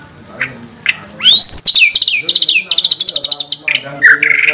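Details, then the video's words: White-rumped shama song used as a master recording to stir caged birds into singing, full of rapid 'tembakan' shooting phrases: a loud rising whistled sweep, then fast runs of sharp metallic repeated notes and bursts of chattering trills. "Pancingan Masteran MP3 Murai Batu Gacor Full Isian Tembakan Mewah"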